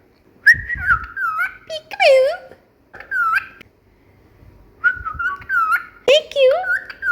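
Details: Pet cockatiels at home, whistling and singing during a whistling and peekaboo training session: clear whistled phrases that rise and fall, repeated in short bursts with pauses between, some notes sliding down.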